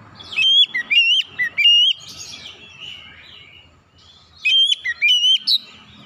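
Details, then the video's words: Oriental magpie-robin (kacer) giving a shrill calling cry meant to prompt a silent bird to answer and sing; bursts of loud, clear whistled notes with sharp rises and drops, a softer buzzy warble between, then another whistled burst. "jeritan Kacer memanggil"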